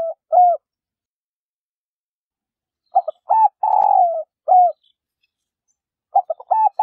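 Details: Coo of a female spotted dove, given to stimulate males to coo. A closing coo, then a long pause, then one full phrase of clipped hoots, a sustained falling note and a last short coo, with another phrase beginning.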